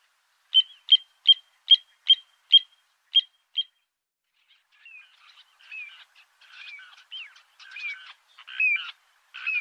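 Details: Little ringed plover during mating, egg-laying and incubation: eight sharp, high piping notes about twice a second, then softer, scattered down-slurred and chirping calls.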